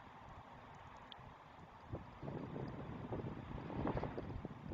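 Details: Low rumbling wind and engine-like noise grows louder toward the end, with no animal calls heard.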